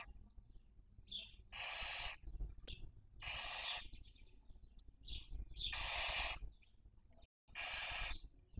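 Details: Barn owls at a nest webcam in Cabañeros National Park, Castilla-La Mancha, Spain, during the 2023 breeding season, raising young. Long harsh broadband hisses about every one and a half seconds, with short high chirps between them.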